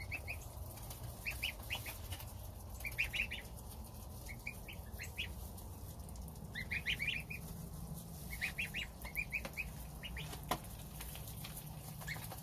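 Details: Domestic goslings feeding on starter ration with mother goose as the father stands guard outside. Scattered clusters of thin, high, rising peeps across the whole stretch, some overlapping, over steady low-pitched background noise.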